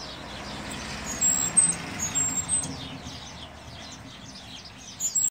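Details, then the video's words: Cuban grassquit (tomeguín del pinar) giving thin, very high whistled notes and brief trills in short bursts, a continuous triple-whistle song, over a steady rumble of traffic. "Tomeguin del pinar (EL MEJOR TRIPLE SILVADO)"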